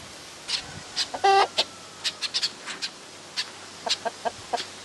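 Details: Laying hen with her newborn chick: sharp high peeps scattered through the recording, with a short, buzzy, harmonic cluck from the hen near the start, then more bright peeps in irregular bursts.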